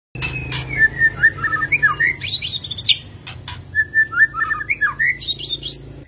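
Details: White-rumped shama singing varied phrases of whistled notes, slurred rising and falling trills interleaved with sharp high chirps, delivered in bursts with brief pauses; a steady low hum runs underneath.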